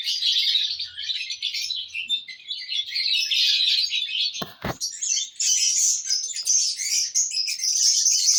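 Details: Steady high, squeaky chatter from lovebirds in a happy mood, recorded June 1, 2022, interrupted midway by a short loud clack or click.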